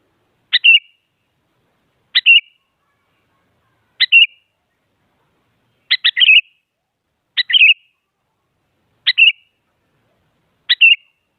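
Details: An active sooty-headed bulbul provoking rivals into song with seven quick two-part calls roughly every one and a half to two seconds, a sharp note then a brief warbling whistle; one call doubled, background silent.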